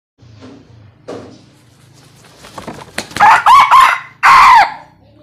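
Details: Young red junglefowl crowing: after quiet, low rustling, two loud hoarse crows near the end, the first broken into several rising-falling syllables, the second a single drawn-out strained note.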